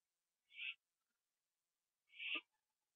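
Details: Owl at night on 21 September 2011, 11:15 PM, after a gopher meal on a porch: two drawn-out, breathy, hissing screeches about one and a half seconds apart, the second with a rough, lower tail.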